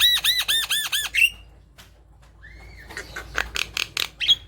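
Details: Chatty Javan myna song played to lure reluctant mynas into song: a series of six ringing, arched nasal notes, a short whistle, a quiet gap, then a clear rising whistle followed by rapid harsh chatter.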